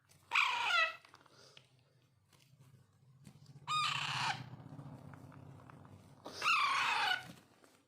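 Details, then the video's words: Alexandrine parakeet chicks, or raw/pahadi parrots, beg during daily hand-feeding with three loud, grating, downward-sliding squawks spaced about three seconds apart. A low hum and handling sounds run underneath. "Raw , Pahadi parrot Handfeeding"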